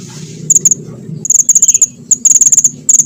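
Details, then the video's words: Small minivet singing actively, a recording meant as a bird-trapping lure: fast runs of bright, very high, clipped notes, nearly continuous rattling trills, over low humming noise. "burung mantenan kecil gacor nembak ngerol buat pancingan dan mikat"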